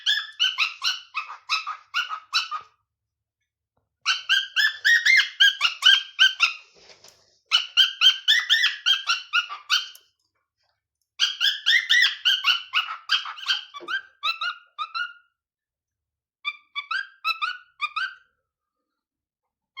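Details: A young male pet cockatiel that is learning to sing and mixes up melodies whistles bursts of bright, harmonic chirps and warbles, pausing between phrases.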